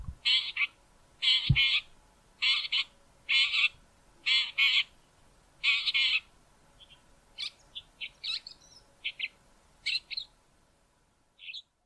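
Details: Male Southern Fiscal near Grahamstown, South Africa, giving its harsh call, rasping doubled notes about once a second, then shifting into softer, thinner chirps and short whistled phrases.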